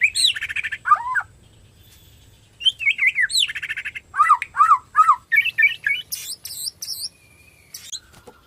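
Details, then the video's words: Caged white-rumped shama of Borneo type singing loudly to provoke other shamas: harsh buzzy chatters, dipping whistled notes repeated in series, and very high sharp notes near the end. "PANCINGAN BORNEO GACOR SANGAT AMPUH UNTUK MERANGSANG BUNYI MURAI BATU LAIN"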